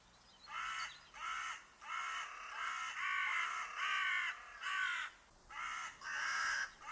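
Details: A Carrion Crow, a UK garden bird, gives a steady series of about ten harsh, hoarse caws, each a little slurred, roughly one every two-thirds of a second.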